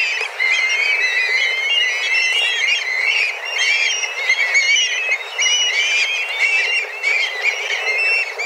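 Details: Black kites, a flock of several dozen flying around and calling intensely in search of food, arriving at a set time each day; many overlapping high, thin whistled calls wavering up and down, continuous and dense throughout, with no low sounds.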